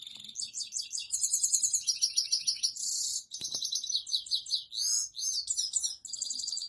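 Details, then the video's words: Saira, the European goldfinch, sings for mating to a female, delivering rolling high trills and jangling chirps in bursts separated by short gaps "saira singing on female for meting"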